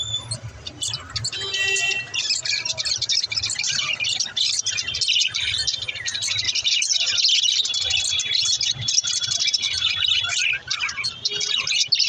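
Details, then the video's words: Singing lovebirds produce a steady wash of shrill chirps and squeaky twitters, many voices overlapping in busy, unbroken chatter, with a faint low hum beneath. "Beautiful love birds l singing sound"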